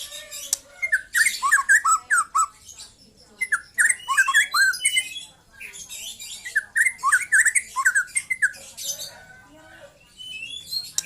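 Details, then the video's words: Young white-rumped shama just past its speckled juvenile stage, singing bursts of rich whistled and slurred notes around mid pitch, mixed with harsh scratchy squawks, in rapid chattering phrases broken by short pauses. "KICAU BURUNG MURAI MUDA LEPAS TROTOL"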